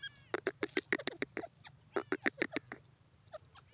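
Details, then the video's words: Grey francolin, called teetar, repeating sharp, harsh notes in quick succession, two short rhythmic runs with a tiny break between them, then a few softer trailing notes. "jungli teetar beautiful awaz,grey pheasant bird awaaz"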